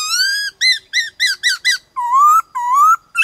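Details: Training song of a white-cheeked laughingthrush: a long upslurred whistle, five quick stacked arching notes, then two slow rising whistles, all clear and harmonic-rich.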